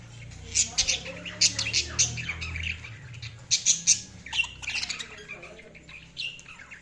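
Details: Several budgies chatter in bursts of sharp, high squawks and scratchy chirps, with quieter warbling between peaks, over a low steady hum.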